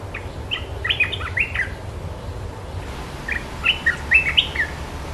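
A Sooty-headed bulbul gives two quick bursts of bubbly, chirping notes, each phrase about a second long, over a low steady hum.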